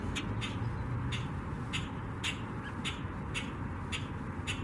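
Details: Common Grackles in a Waterloo Region, Ontario backyard in March trade short, harsh 'chack' contact calls about twice a second, one bird answering another, over a steady low rumble of wind or distant traffic.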